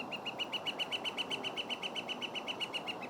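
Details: In early spring at Carburn Park, Calgary, as flickers turn territorial, a Northern flicker gives a steady run of bright, clipped notes, about four per second, evenly pitched, over a light background hiss.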